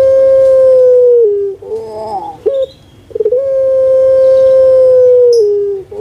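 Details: Puter pelung dove, a kept bird, recorded to encourage lazy birds to call. A long level coo falls at its end, followed by a wavering gurgle, then a second long, steady coo held for over two seconds.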